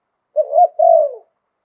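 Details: Spotted dove in Thailand giving one phrase of its 'liu tan' style song: a soft rolling coo followed by a longer, gently falling coo, low and mellow, in silence.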